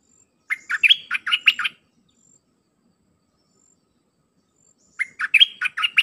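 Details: Red-whiskered bulbul song repeated to tutor young birds: a compact burst of lively, slurred chirps, a silence of about three seconds, then the same phrase again, with a faint high background hiss.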